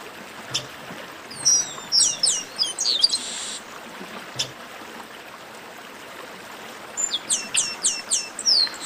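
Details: Chestnut-capped blackbird, locally garibaldi, in an esquenta (warm-up) song: a burst of high whistled slurs and chirps with a brief buzzy note, a long pause, then a second run of quick descending chirps over steady background hiss.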